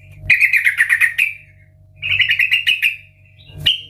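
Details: Loud ngeplong-style yellow-vented bulbul song meant to coax other bulbuls into singing: two quick bubbly warbled phrases about a second apart, then a single sharp note, with a faint low hum underneath.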